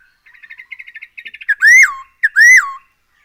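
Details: A black-throated laughingthrush, in a recording meant to draw birds into singing, gives a soft rapid chatter of short notes followed by two loud, drawn-out arched whistles.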